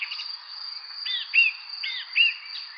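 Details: Bird chirping: two pairs of short, arched, downslurred chirps around one second apart, each pair quick and bright, over a constant high, shrill drone like an insect.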